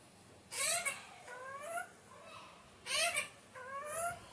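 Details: Alexandrine parakeet producing four rough, rising squawks in two pairs, each rich in harmonics and under a second long, recorded indoors with low hiss between calls.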